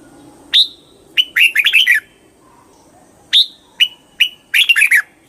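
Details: Red-whiskered bulbul song in two bouts, each opening with a clipped high whistle and short notes, then a rapid jumble of liquid, rolling warbles; a quiet pause separates the phrases.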